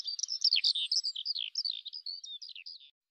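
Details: Eurasian skylark pouring out a quick, liquid stream of chirps and whistled twitters, very high and continuous, ending abruptly after under three seconds.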